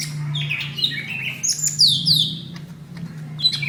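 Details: Greater green leafbird giving a fighting call, used to train other birds to sing, recorded in May 2016: clear whistled and slurred notes between squawky bursts, with a steady low hum throughout.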